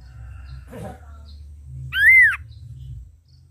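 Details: Red-eyed Ashy drongo in full song: a faint rustle, then one loud, clear, arched whistle that rises and falls, lasting about half a second. Quiet low hum underneath.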